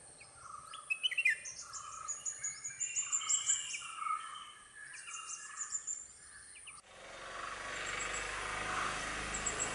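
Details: At a nest on private land, red-whiskered bulbul parents feed their two chicks. A series of rapid chirps and twittering notes gives way to a louder, broad background hiss near the end.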